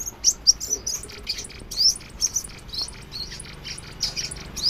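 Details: Crimson sunbird singing while dancing: a rapid series of very high, thin chirps and sharp twittered notes, irregular and nearly continuous, with a faint low hum beneath.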